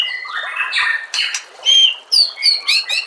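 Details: White-rumped shama in a training recording for songbirds, giving harsh squawky notes that turn into clear whistles and a quick series of bright, repeated chirps in a fast, lively run.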